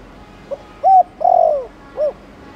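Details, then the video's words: Thổ Đồng-style spotted dove coo for stirring newly caught doves. A soft pick-up note is followed by a clipped coo, a long sagging coo and a short rounded end, all low and hollow, against a quiet background. "Cu gáy Thổ Đồng kích bổi nhanh nổi/Chim cu gáy Chiêu + Gù kích bổi ức chế mau gáy"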